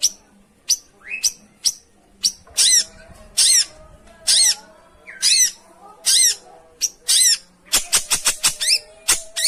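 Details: Long-tailed shrike lure song aimed at a bird that will not sing: harsh, rasping squawks of varied length with a few short rising notes, ending in a quick burst of clipped ticking notes.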